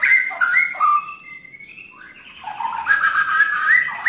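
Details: White-rumped shama (murai batu) song in tembakan style: fluty whistles slurring downward, then a long, steady held tone, followed by a busy warbled passage of richer notes.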